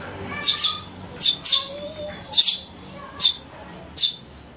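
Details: House sparrow chick calls for luring birds: crisp high chirps, some doubled, about once a second, with faint softer whistles from other birds behind.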